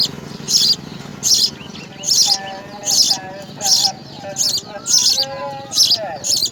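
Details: Nestling house sparrows calling for food as insects are brought: rapid, high, scratchy chirp bursts about once a second, with faint lower wavering tones running beneath in the second half.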